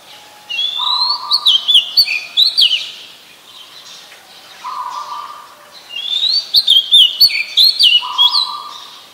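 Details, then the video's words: Oriental magpie-robin singing in Ubon Ratchathani, Thailand, on 28 October 2021, recorded with a Nikon P1000: two bursts of bright, varied whistled phrases with sharp slurred notes and quick chips, separated by a pause, over a steady lower hum-like tone. "นกกางเขนบ้าน Oriental Magpie Robin (singing)"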